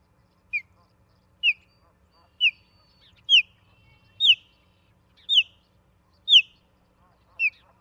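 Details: Osprey at the nest in Charlo, Montana, 17 August 2023, from a live nest camera: a steady series of eight piercing high whistles, each slurring downward, about one per second against a quiet background.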